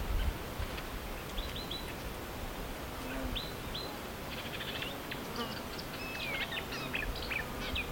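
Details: Marsh warbler, called the Polish lyrebird for its ability to mimic other birds, singing a varied, rapid chatter of short high buzzy and clicking notes that thickens into a dense run after the midpoint, over steady low rumbling background noise.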